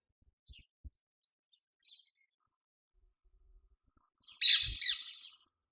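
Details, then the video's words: An April afternoon near a magpie nest in a jasmine. A rose-ringed (ring-necked) parakeet gives one loud, harsh, piercing shriek lasting under a second, after faint high chirps and a few soft knocks. "This was the piercing shriek of a Ring-necked parakeet. We will meet this bird again in this video."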